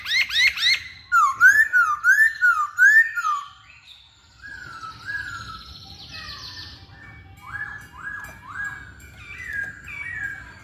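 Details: Masked laughingthrush in lively song: a rapid series of bouncing whistled notes rising and falling, then quieter, softer whistles and short upslurred notes over light background noise.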